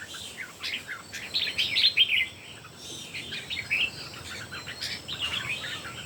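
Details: Red-whiskered bulbuls, three birds in a singing duel: bursts of bright, warbling chirped phrases, the strongest near the middle, then shorter answering notes, over a constant background hiss.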